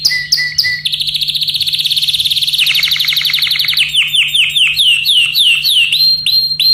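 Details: Excited yellow canary singing: a few whistled notes, then a long fast rattling trill of about four notes per second, followed by a series of sweeping downslurred whistles, with a steady low hum beneath.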